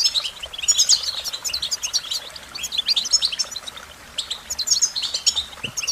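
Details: American goldfinch song: bright, rapid twittering phrases of high thin notes and short slurred chirps, delivered in dense bursts with brief pauses between them, no other sounds noticeable.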